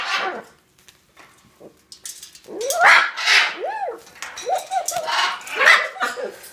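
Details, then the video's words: A pet Hyacinth macaw that learned to bark like a dog gives about six hoarse, dog-like barks in quick succession, some arched and yelping, after a short quiet start; it barks for fun. "Hyacinth Macaw parrot learned how to bark like a dog"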